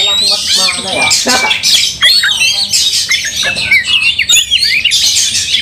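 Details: Oriental magpie-robin fighting and angry, tail opened, making rival magpie-robins fiercer: harsh squawks and scratchy rattles mixed with quick whistled flourishes, loud and unbroken throughout.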